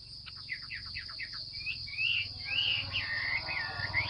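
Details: Female Chinese hwamei calling to encourage males to sing: quick descending chip notes, then wavering whistled slurs, set against a steady high-pitched hiss and low background rumble.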